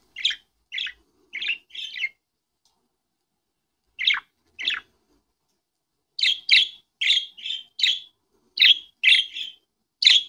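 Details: Budgerigar playing with a ball: short, bright chirps in quick clusters, pausing briefly between bursts.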